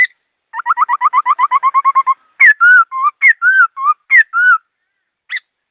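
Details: Laughingthrush kept at home singing rapidly and clearly. About fifteen short repeated notes in a steady run, then paired whistles that rise and fall, and one brief final note.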